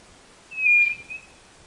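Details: One White-bellied nothura note: a pure, level, high-pitched whistle lasting about half a second, followed by a brief soft echo-like note, background quiet.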